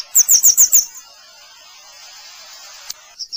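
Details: Grey wagtail giving a rapid burst of five high, sharp chirps at the start, then steady background hiss and two faint notes near the end.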